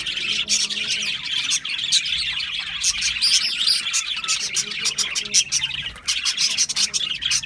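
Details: A group of budgies chirping steadily, bright high tweets and rapid clicking notes packed closely, with a short lull near the end.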